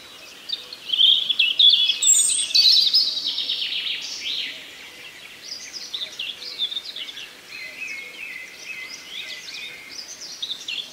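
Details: A nightingale sings in the forest, a loud burst of sweet whistles and fast trills early on, then softer varied phrases and a long steady whistled note, while other woodland birds chatter behind.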